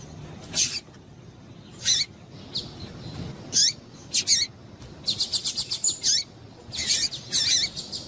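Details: Female double-collared seedeater (papa-capim) calls, used to get males excited and singing: high thin chirps and buzzy notes, including a quick run of about eight rapid ticks, over a steady low background hiss.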